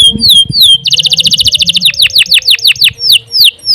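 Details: Canary in long song meant to tutor young birds. Two downward whistles precede a rapid pulsed trill, then a series of steep falling sweeps slowing toward the end.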